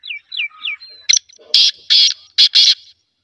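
A black francolin gives three quick, high, downslurred notes, then a run of loud, harsh, grating bursts over about two seconds.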